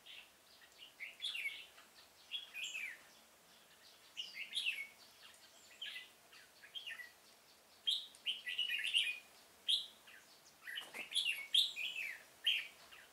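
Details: Decoy red-whiskered bulbul in a pomelo orchard singing to draw wild birds into a trap, 25 October 2017; short liquid whistled phrases, each about half a second, separated by brief gaps, growing busier and louder toward the end.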